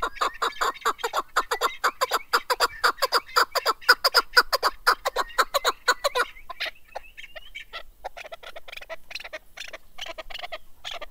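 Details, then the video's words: Keklik, a male mountain chukar partridge used for hunting, sings a steady series of loud clucking chuck notes, about two per second for six seconds, then trails into softer, scattered, irregular notes. "Голос Куропатка как поёт Горная Куропатка Кеклик"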